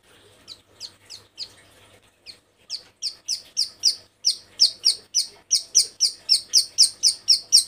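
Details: A breeding-condition female bar-winged prinia calls to males with downslurred, high chips. These start soft and scattered, then build into a loud, regular series of about four notes per second.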